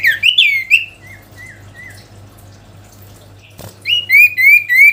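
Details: Sooty-headed bulbul calling a rival: a few loud warbled notes, then three soft, spaced slurred whistles, a sharp click, and four clear repeated downslurred whistles, over a low steady hum.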